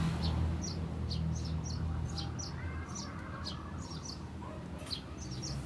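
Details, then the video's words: Master recording of sparrow 'ngriwik' chirping for training songbirds. Quick bright chirps tumble out several per second, somewhat fainter, above a steady low hum and broad background noise. "kicau ngriwik masteran burung gereja"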